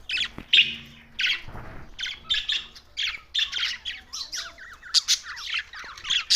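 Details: Budgerigars giving short bursts of harsh, scratchy chirps and squawks, a steady chattering sequence broken by brief gaps.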